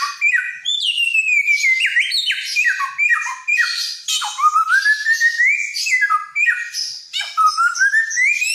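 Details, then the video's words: Helmeted friarbird, loud and vocally inventive, from Nusa Tenggara, singing without pause: harsh, buzzy slurred notes, sharp downward sweeps, and several slow upward-gliding whistles. "Burung samyong gacor"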